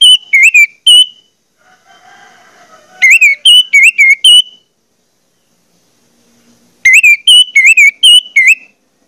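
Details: Orange-headed thrush lure song to make other thrushes sing: three bursts of loud, rapid whistled phrases, each made of warbling notes that dip and rise, separated by short pauses.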